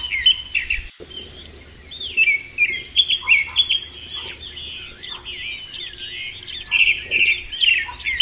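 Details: Vermilion flycatcher singing in the wild: bright, busy high twittering with short rising and falling whistled notes, phrases repeated rapidly over a steady insect-like hiss and faint low rumble.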